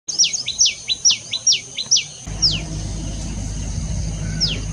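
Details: A common tailorbird sings in the morning, a rapid run of about ten sharp, high, downslurred chirps in two seconds, then two spaced notes over a low traffic rumble.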